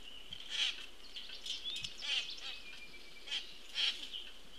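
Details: A parent common grackle feeds its juvenile, 22 June 2018, from a Cornell Lab of Ornithology camera; a few scattered high squeaks and harsh bursts over a faint steady high tone.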